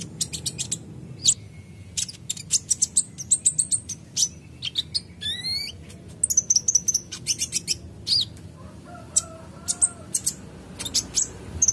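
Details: Sunbird known locally as kolibri ninja, an actively singing bird: rapid high, sharp chirps and thin tweets in bursts, a quick rising buzzy trill near six seconds, and faint lower notes near nine seconds, over a low steady background hum.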